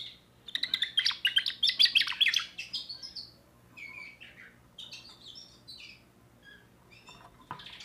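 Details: Young 2024 timbrado canary with a new repertoire: a long, rapid, rolling trill of high notes pulsing many times a second, then a slower run of varied whistled and chirped phrases, with a soft background hum.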